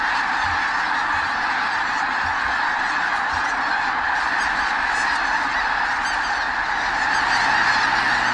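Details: Huge wintering flock of snow geese near Klamath Falls, Oregon, tens of thousands strong, fills the air with continuous overlapping honking, a constant wall of yelping calls swelling slightly toward the end.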